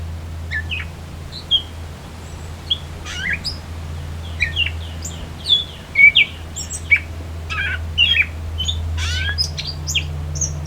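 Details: Gray Catbird song recorded at the Beverly Swamp in Flamborough, Ontario, Canada, during the 2024 summer solstice: a long, loud rambling medley of mewing, squeaky and chattering phrases, each different from the last, with a low droning hum underneath.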